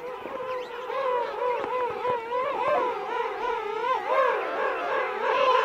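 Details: King penguin adults calling at close range amid a colony of adults and chicks at Right Whale Bay; sustained, quavering trumpet-like calls with undulating pitch, several birds overlapping.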